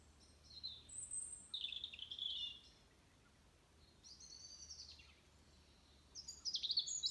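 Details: Dawn bird song at 06:45 on 22 November 2020, with Venus still shining: faint, thin high whistles and short trills in separate phrases, with quiet gaps between them.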